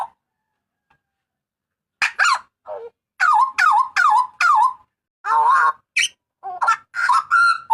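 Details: Loud harsh yelps from a Papuan butcherbird, used as a training recording for cage birds: silence at first, then sharp downward-sweeping cries in fast succession, a wavering buzzy note and more ringing calls.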